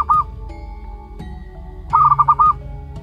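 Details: One-month-old local zebra dove chick gives a short burst of five quick, rounded cooing pulses near the end, after a brief note at the start, over a steady low droning hum.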